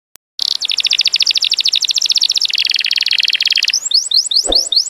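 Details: Canary song used as a training recording for other birds: fast, dense trills of rapid repeated notes, shifting pitch between sections, ending in a run of clear upward-sweeping whistles.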